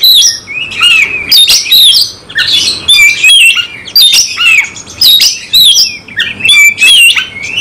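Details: Oriental magpie-robin singing in fighting mode, persistent and emotional with a full repertoire: loud, varied bursts of whistled, slurred notes mixed with harsh chattering, delivered in rapid phrases separated by brief pauses.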